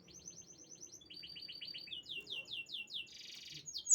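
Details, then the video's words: Canary singing a fast, bright song of repeated trilled phrases: quick chirping runs, then sweeping notes and a dense buzzy rattle, all high-pitched. "The unique sound of the canary bird"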